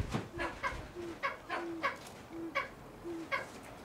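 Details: Silver pheasant at a pheasant breeding farm: short, harsh, clucking notes with a low, flat, droning tone between them, repeated roughly every half second in a quick, uneven series.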